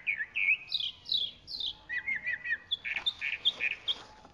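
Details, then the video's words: Varied chalk-browed mockingbird song: slurred whistles, then falling phrases, then a run of rapid, choppy repeated notes, all high and bright, delivered without pause. "Calandria Grande Canto - Calandria Grande - Chalk-browed Mockingbird Bird Song"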